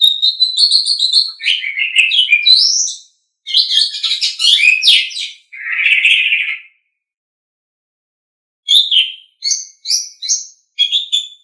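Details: Asian pied starling singing a masteran training song. A long run of slurred whistles and scratchy, squawking notes is followed by a low harsh burst, a pause of two seconds, then clipped high whistled notes. No background noise.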